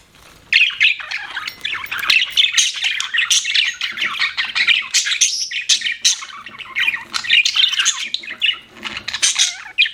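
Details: Continuous budgerigar chatter lasting several seconds: rapid, harsh chirps, clicks and squeaky whistles run together without break after a quiet start.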